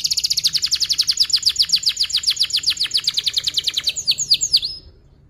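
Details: Canary in long song with a tight roll, used as a lure to teach young canaries: a fast, steady trill of high pulsed notes for about four seconds, ending in a few sweeping chirps before silence.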